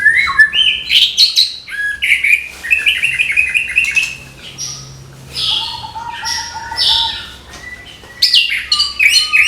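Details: Orange-headed thrush pouring out a varied morning song to inspire young birds: rich warbled phrases, quick trills and mimic-like whistles, bursts separated by brief pauses, with a faint low hum behind.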